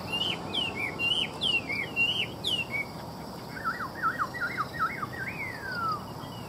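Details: Chinese hwamei singing a rich whistled song: looping, slurred phrases at high pitch in the first half, then a run of lower wavy notes ending in a long descending slide.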